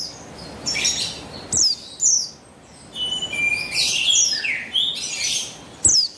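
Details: Female buxtoni white-eye, used to coax a male into singing, recorded 3 August 2021: high chirps mixed with a busier twittering run of varied thin notes.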